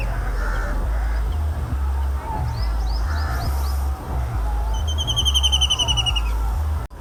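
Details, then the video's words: White-throated kingfisher in urban India giving a fast, shrill rattling trill of even, ringing notes near the end, with a few high chirps earlier over a steady low background beat. "Now You Know Who Makes This Sound: Ep. 7 - White-Throated Kingfisher"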